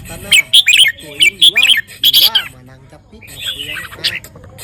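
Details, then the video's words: Red-whiskered bulbul, a crested male shown off for its looks and song, singing bright, bubbly whistled phrases about once a second, with a sung human voice and music underneath. "นกกรงหัวจุก เบิ้ล ริก ทรงอย่างหล่อ ร้องอย่างเก่ง"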